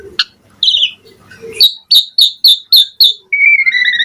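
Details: Asian pied starling in full varied song rich in mimicked phrases, used as a training recording for caged starlings: separate whistled notes, then a run of sharp repeated high chips, ending in a long level whistle.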